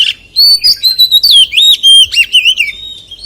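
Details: Forest-style song of an Oriental magpie-robin, loud and continuous: clear whistles bend up and down, with quick slurred phrases, sharp rising notes and warbling loops packed closely together.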